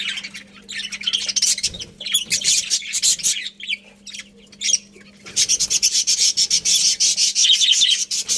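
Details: Colony of budgerigars chattering: rapid, buzzy, rasping chirps in quick bursts, a short quieter gap near five seconds, then an even denser run of scratchy twittering to the end.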